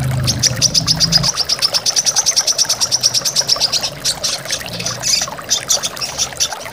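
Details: Brown-throated sunbird in a master recording made to train caged birds, in the full tembakan style: a fast, high, rattling trill of rapid repeated notes lasting several seconds, over steady rushing waterfall noise.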